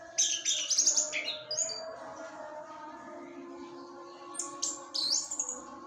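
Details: An orange-headed thrush on a terrace provokes others of its kind with a short burst of jumbled high whistles, a long quiet gap, then a few more slurred whistled notes. A low constant hum runs underneath.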